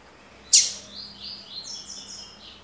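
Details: Double-collared seedeater singing the tui tui (tocó) song style: a sharp loud high note followed by a run of short, clear, slightly descending whistled notes.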